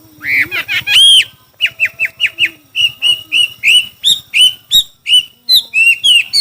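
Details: Chinese hwamei singing in a song contest: a fast series of clear, slurred whistled notes repeated in quick succession, some rising and some falling, with a faint low murmur underneath.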